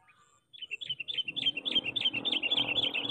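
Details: Sooty-headed bulbul kept as a decoy for catching wild bulbuls. Rapid bubbly chattering runs on steadily over a rising rustling, hissing background noise.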